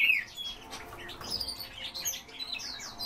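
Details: Kept captive Yellow-breasted bunting (Emberiza aureola) singing: a quick jumble of high, thin chirps and short slurred notes, opening with a brief falling whistle, fairly faint throughout.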